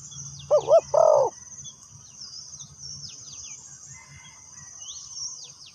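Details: Spotted dove kept as a lure bird for trapping wild doves, giving two low, hoarse coos in quick succession, the second longer and flatter. A steady high insect hiss and faint chirps from other birds continue afterward.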